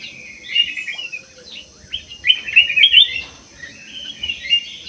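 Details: Black-crested bulbul in an aviary singing in a lively, energetic manner: bright, bubbling warbled phrases with quick rising and falling notes, given in short bursts, over a steady high-pitched hiss.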